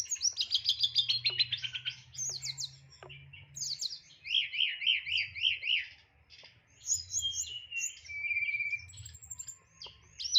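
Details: Hill blue flycatcher kept as a songbird, singing nyeklek-style with complete fills: a fast descending stuttering trill, zigzag warbles, sharp clicks and high whistles; a low droning hum in the background.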